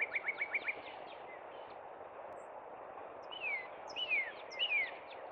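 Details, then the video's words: Northern cardinal singing in spring at Cub Run: a quick run of about six short repeated whistled notes, a pause, then three loud downslurred whistles, over a steady background hiss. "Northern Cardinal Song"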